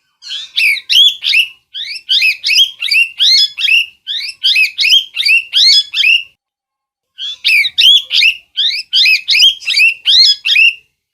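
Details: Loud, raspy parrot screeches in quick rhythmic bursts of four to six calls, each rising then falling, with a silent gap of about a second near the middle before the calls resume.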